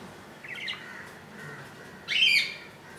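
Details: Tiny budgerigar chick, about an inch long, in the nest on its second day after hatching on 15 July 2018; a soft rising chirp, then a louder, harsher high squeak a second and a half later.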